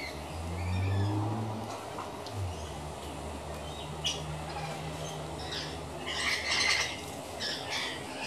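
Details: Rainbow lorikeets taking a bath in a dish on a veranda: a low droning hum opens, with faint chatter, before loud, grating screeches burst out together near the end.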